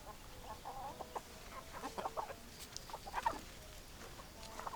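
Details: Hens clucking, with a flock of chickens giving short, choppy clucks and a few sharper squawks. The calls come in uneven clusters over a soft background hiss.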